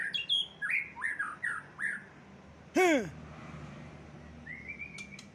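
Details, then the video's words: Champion white-rumped shama, kept caged and placed outside for airing, in an agitated singing bout. High thin notes lead into a series of upward-sweeping whistles, then one loud harsh arched note, a quiet gap, and a faint level whistle. "Murai Juara Mengamuk di Umbaran"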